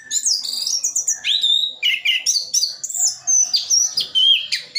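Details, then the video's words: Orange-headed thrush from Sidoarjo, East Java, delivering a mimicry-filled song. High, thin notes run into dipping whistles and scratchy phrases in a steady flow. "Anis Kembang isian full"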